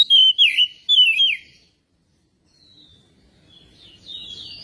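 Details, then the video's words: ['Oriental magpie-robin song meant as a lure to get another bird singing: three loud, quick whistled notes that slur downward, then near silence, ending with faint high warbling.'] "pancingan kacer biar cepat gacor dan ngobra"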